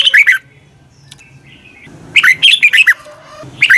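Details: Red-whiskered bulbul morning song used for training birds: loud short bursts of warbled, down-slurred notes, a phrase at the start, another after a pause near two seconds, and a brief one at the end, with faint low hum between.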